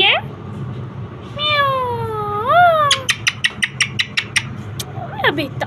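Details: Parrot talking with its owner on a roof. It gives long drawn tones that sweep slowly upward, then a rapid run of about ten sharp clicking pulses, ending in a quick falling cry.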